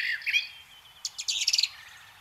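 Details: Brown Thrasher in spring (April) sings a quick, varied phrase mimicking other birds: a few slurred high notes, then a burst of rapid chips and buzzy notes, loud and bright.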